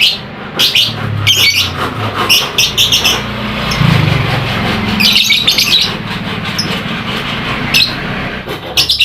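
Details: Lovebird singing meant to coax a quiet lovebird into singing and excite other lovebirds: bursts of high, scratchy chirps and chatter, with a steady low hum and background noise throughout.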